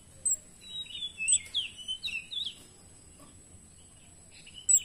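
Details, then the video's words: Orange-headed thrush singing actively with a rich song filled with imitated phrases: a run of high, sweet warbled and slurred whistles over about a second and a half, then short chirps, with a steady faint high tone behind. "BURUNG KEMADE GACOR ISIAN mewah"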